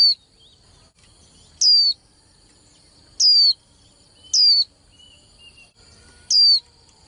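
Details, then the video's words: Young female white-eye kept to provoke males into contest song, uttering four bright, high, downward-slurred whistled notes at irregular gaps of one to two seconds, with a steady faint high tone behind. "KHUYÊN MÁI TƠ - Kích Trống Líu Đấu Sung Hơn Mỗi Trận"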